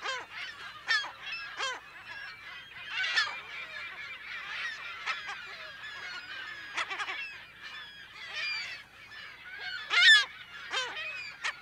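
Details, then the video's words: Mixed chatter of a California gull colony, captured in mono at close to middle distance: softer overlapping squeals and mews, with a few louder harsh cries standing out around the third and tenth seconds. "California Gull / CU - MP Calls In Colony"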